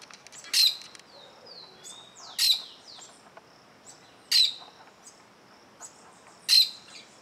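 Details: Plain parakeet (Brotogeris tirica) very close to its nest gives sharp, shrill, high-pitched notes about every two seconds, with fainter chirps and sliding whistles from other birds in between.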